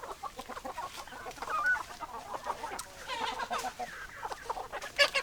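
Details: Chickens in a flock give a dense stream of soft clucks and brief rising squawks, irregular and overlapping, with a louder sharp note just before the end.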